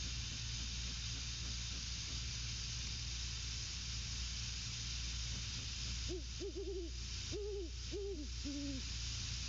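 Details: Hoots between a male and female Great horned owl at their nest, 21:50 on 12/06/22. Six seconds of hum and hiss, then a close series of low, paired hoots to the end.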